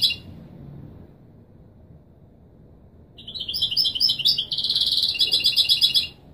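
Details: European goldfinch in Widani Marrakchi style, played to tutor chicks: a single short note, a silence, then varied high twittering that turns into a dense, buzzy, rapid trill held for about a second before more twitters.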